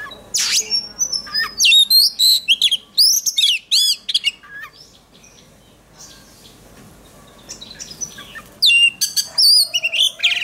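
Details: Oriental magpie-robin singing in contest-training form: long runs of loud, high whistled and slurred notes, a quiet stretch of several seconds, then another vigorous burst of varied ringing phrases.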